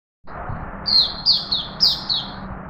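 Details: A healthy captive male straw-headed bulbul in Singapore, 11 September 2020, sings assertively yet relaxed to make his presence known: five loud, bright, slurred notes, each falling slightly, about a third of a second apart, over a low hum.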